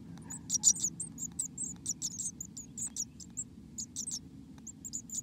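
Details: Quieter high squeaks and thin chips from inside a black-capped chickadee nest in America, a louder burst early on and then scattered tiny notes over a low background hum.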